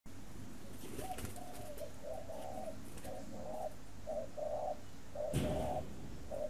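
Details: Captive spotted dove, a breeding bird that also sings in the khách cooing style, kept in Ba Vì near Hanoi, Vietnam; mellow low coos in short and longer notes about once a second, with a sharp knock near the end.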